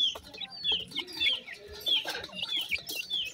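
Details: Baby Sindhi partridge chick in a field in Pakistan, giving short, high, thin chirps. They repeat roughly every half second in a loose, uneven series, over steady background noise and scattered clicks.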